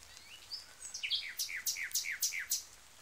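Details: Nightingale song phrase: a few thin high whistles lead into a run of quick, descending slurred notes repeated about every third of a second, each paired with a sharp high click, loud and rhythmic.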